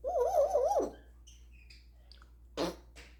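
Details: Indoor pet African grey parrot imitating sounds from its repertoire, which includes snoring, dog, cat and rooster noises: a loud warbling tone wobbling up and down for about a second, then faint squeaks and a raspy burst.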